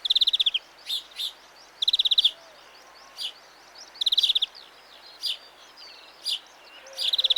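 European greenfinch singing rapid, buzzy trills of fast repeated high notes roughly every two seconds, mixed with short sharp chips and a soft background hiss.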